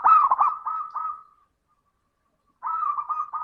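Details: Zebra dove cooing as a song lure for other doves: a quick tumbling run of soft coos fading out, a second of silence, then another stuttering series of repeated coo notes.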